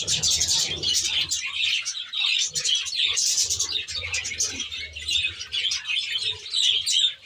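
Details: Budgerigars kept in a natural-style aviary; a dense chorus of many birds chattering, with overlapping high warbles and chirps, rising and falling in loudness in waves.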